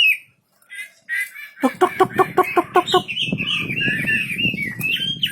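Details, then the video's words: Wambi bird singing vigorously: a few thin whistles, then a run of harsh pulsed notes about six per second, giving way to a continuous warbled, twittering high song over low rumbling background noise. "Burung wambi istimewa gacor full"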